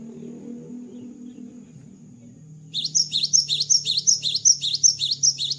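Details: Low murmuring background noise gives way to a cinereous tit (gelatik batu) after moulting, launching into lively, evenly paced high two-note phrases repeated about a dozen times.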